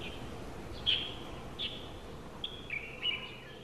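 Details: A pair of Japanese white-eyes outside a window, recorded July 2018: five thin, high chirps spaced unevenly over a few seconds, some with faint trailing whistles, over a steady low background hum.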